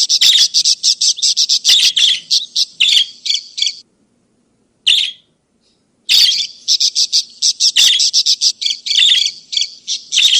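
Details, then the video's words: Budgerigar chatter for luring escaped birds back or tutoring other cage birds: dense bursts of rapid, scratchy chirps, a pause with one short note, then another long stream of quick chirps. "editan Pikat parkit untuk masteran burung kesturi ( burung baji )"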